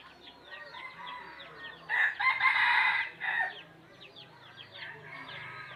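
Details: Wild red junglefowl giving one loud, strained crow of about a second and a half, rising then chopping into short notes. Many small birds chirp steadily throughout, with a low hum underneath.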